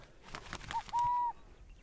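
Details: Male burrowing owl (Athene cunicularia) at the former Umatilla chemical weapons depot near Hermiston, Oregon, gives a soft two-note "cuckoo" coo, his main territorial call, defending his burrow against a played-back intruder; faint rustling and clicks.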